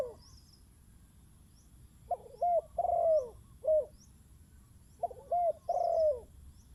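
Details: Decoy spotted dove calling as a wild bird comes in: two bursts of mellow cooing, each a rough opening note followed by smooth, descending coos, with faint high chirps in the background.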